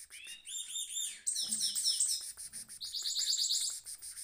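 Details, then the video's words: Caged goldfinch mule rolling in song: dense high twittering, a buzzy trilled phrase near the start, then rapid bright repeated notes and rattling trills running almost continuously. "mule goldfinch rolling on cage"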